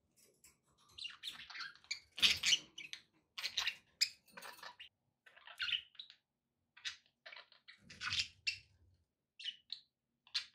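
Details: Pet budgerigars chirping continuously, a rapid series of short scratchy high notes and squawks with irregular spacing, plus soft low rumbling background noise.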